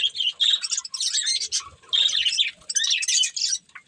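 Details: Pair of budgies feeding and chattering in four or five clustered bursts of bright, high chirps, each about half a second long, separated by brief quieter gaps.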